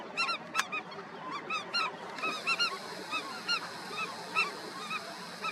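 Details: Indian skimmers calling together at a colony, short nasal yelps in quick irregular bursts, several birds overlapping, a brief sharp click early on over a continuous background hiss.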